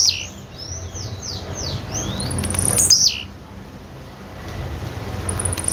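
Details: A rapid series of thin, falling whistled notes from another bird precedes one loud, high, down-slurred buzzy call of a female blue-black grassquit; low hum in the background.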